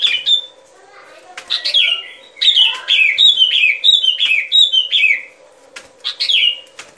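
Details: Sooty-headed bulbul used as a trapping lure, giving bursts of bright, downslurred whistles. A steady run of repeated falling notes sits in the middle, with a low hum in the background.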